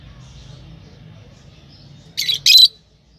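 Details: After a quiet stretch, a lovebird lets out two harsh, squawky high chirps close together at the end.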